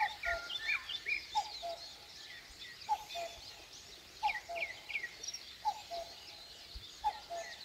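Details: At daybreak in rural Korea, a common cuckoo repeats its falling two-note hoot roughly every 1.4 seconds, five times in a row, over a dense chorus of thin, high twittering songbirds.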